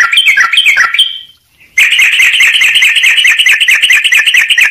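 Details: Sooty-headed bulbul in filler-rich song: a few bubbly falling notes, a brief gap, then a continuous, dense, buzzy chattering trill.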